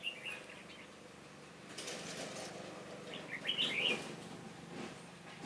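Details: Red-whiskered bulbul trapping in Hòa Bình, Vietnam, 18 November 2017, a decoy bird singing to lure wild birds. A quick run of bright warbled notes near the end, with earlier brief chirps and soft wing flutters.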